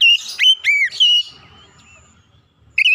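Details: Oriental magpie-robin lure song: a few loud, bright whistled notes with sweeping slurs at the start, a soft lull with low background murmur, then a fresh whistle at the end.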